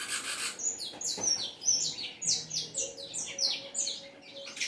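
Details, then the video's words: Saffron finch in lively song, a fast run of high slurred chirps and descending whistled notes, repeated steadily with brief gaps throughout. "canário da terra cantando muito"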